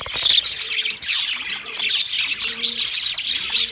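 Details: Several pet budgies warble at once, layering rapid squeaks, clicks and chirps into a steady bright stream, with faint low tonal notes now and then underneath.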